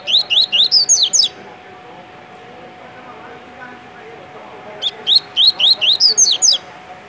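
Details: Double-collared seedeater, a kept coleiro in Rio de Janeiro, Brazil, delivering tui-tui song: two phrases of seven or eight fast rising whistles, each ending in higher, sharper notes, separated by about three and a half seconds of quiet hum.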